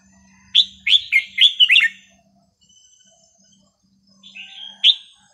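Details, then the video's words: Red-whiskered bulbul song meant for teaching young birds: a rapid burst of five or six loud, liquid whistled notes, then a quiet pause and one more short warbled phrase. "นกกรงหัวจุกสำนวนเพราะๆ ร้อง เพลงไม่ซ้ำกัน เปิดสอนลูกนก"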